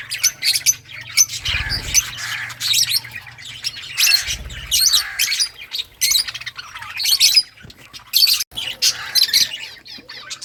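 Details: Lovebirds of assorted colours giving harsh, high squawks and chirps in repeated bursts, with two low thumping knocks in the background.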